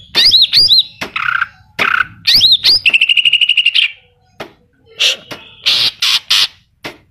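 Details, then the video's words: Greater green leafbird in full song with mimicked phrases, giving loud looping whistled notes, harsh buzzy bursts, a rapid trill of clipped notes, then scattered sharp chirps. "Cucak Ijo Gacor Full Isian Tembakan Kapas Tembak dan Cililin."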